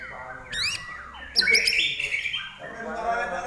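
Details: Common iora singing: descending whistled slides give way to a loud burst of sharp clicks and a dense, slightly buzzy chatter that fades into softer background notes.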